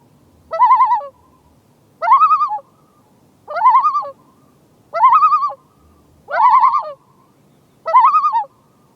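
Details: Common loons on a lake in Maine, disturbed by an approaching paddler, give six quavering, laugh-like tremolo bursts, each under a second and spaced about every one and a half seconds, over quiet water.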